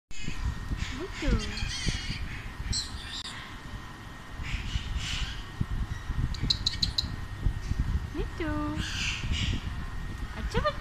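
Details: Male pet Alexandrine parakeet reacting excitedly on first seeing himself on a laptop screen: rising whistled sweeps, short harsh squawks and bursts of chattery, speech-like sounds over a steady low background rumble.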